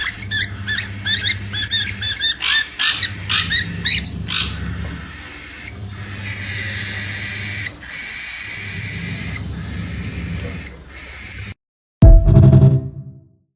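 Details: A female cockatiel sings while mating, giving rapid, scratchy chirps and warbles over a steady low household hum.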